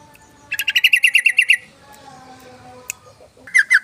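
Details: Yellow-vented bulbul, an energetic singer, recorded for luring other bulbuls. A fast burst of about nine sharp chattering notes lasts one second, then a pause and two more loud notes. Faint background hum.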